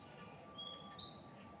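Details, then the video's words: Siberian stonechat giving two short, thin, high squeaky notes about half a second apart, over a faint steady background hum. "黑喉石䳭 Siberian Stonechat"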